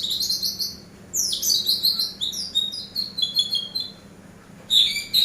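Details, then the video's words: Eurasian tree sparrow chirping, played as a master recording for training birds: dense, bright runs of high chirps in two bursts, a short pause, then a final sharp chirp; no other sounds stand out. "MASTER BURUNG GEREJA"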